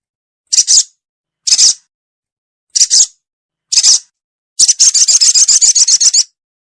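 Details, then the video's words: Lure call of a ruby-cheeked sunbird for trapping birds: four piercing high chips spaced roughly a second apart, then a rapid, dry, rattling trill lasting about a second and a half. "SUARA PIKAT BURUNG SOGO ONTONG SOGON"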